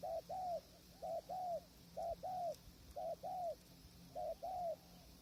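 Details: Spotted dove cooing near a trapping hide in strong wind, wild birds far away: a run of five or six even pairs, short hoot then drawn-out hoot, roughly one pair each second, over low steady background noise.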